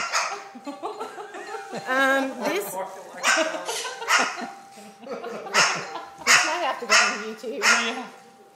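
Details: A rehomed male Moluccan cockatoo, hearing the doorbell ring, barks like a dog in several short harsh bursts in quick succession while whipping his crest, with people talking in the background.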